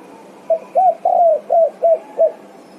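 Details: Spotted dove (tekukur) calling to companions, six low hooted coos: brief intro note, a long downward-gliding coo, then three evenly spaced short ones; faint steady background hiss.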